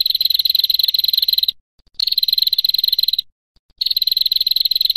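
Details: Female prinia used as a training recording, giving a long, dry, buzzy high trill in steady bursts of about one and a half seconds, separated by short silences, with no other sounds.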